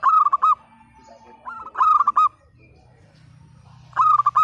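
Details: Chatty local zebra dove with a strong 'pecah' voice, aimed at getting silent, lazy birds singing: bubbling stepped coo phrases, repeated roughly every two seconds, with a steady low hum in the background.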